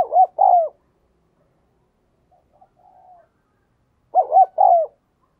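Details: Spotted dove kept as a decoy, calling to draw in wild doves. Two loud phrases of mellow coos, each two quick rounded notes then a drawn-out falling note, separated by a faint soft coo.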